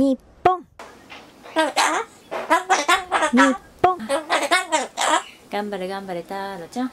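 A Ducorps's cockatoo chatters in quick, speech-like syllables, rising and falling like excited talk, with short pauses between bursts in a small room.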